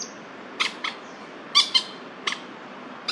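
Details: Crested goshawks, two males calling at each other in a territorial dispute in Da'an Forest Park, 30 September 2022: a few short, harsh, broadband notes, some paired, spaced irregularly over steady background hiss.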